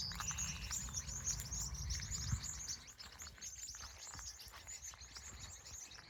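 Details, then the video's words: Evening birds at a California sunset, quick high chirps repeated about three times a second, louder at first then softening, over low rumbling background noise. "Sunset, Bird Sounds, Sky and Colors"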